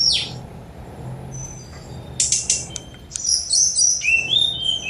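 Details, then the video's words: Sunda robin giving a short burst of song: a sharp rising sweep, then scattered high ticks and buzzy notes, ending in a cluster of descending whistled slides, low hum in the background. "Tledekan Gunung Speed Mewah 4K"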